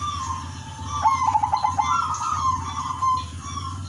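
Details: Zebra dove, udanmas silver variety, in melodious active song meant to trigger other zebra doves: a fast burst of staccato clicks rolls into a sustained, slightly wavering coo, with thin chirps of other birds above and steady low background hum.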